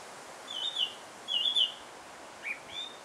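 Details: Song thrush from Alkmaar, Netherlands, giving brief high whistled phrases: a twisting note repeated twice, then a softer rising whistle, set against mild environmental noise.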